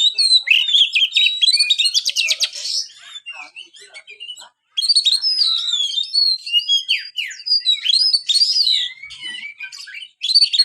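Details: Long song bout from a caged white-rumped shama: fast rattling trill, varied whistled and buzzy phrases, a pause, then continuous mixed whistles and sharp notes.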